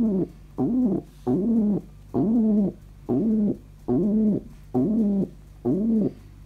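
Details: Pet pigeon, described as very happy, cooing indoors in a small room: seven arched, mellow, throaty coos with rich harmonics, each under a second, repeated steadily about every 0.8 seconds with brief quiet gaps between.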